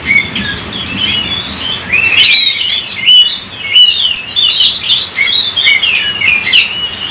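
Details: Kacer (Oriental magpie-robin) in energetic 'gacor' song used as a lure: a quieter start, then a rush of rapid, high, twisting whistles and chirps that run together almost without pause.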